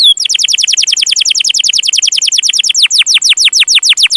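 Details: Canary song as a tutoring recording for young birds: a long, evenly paced run of crisp descending chirps, about six per second, slowing toward the end into deeper, longer downward sweeps.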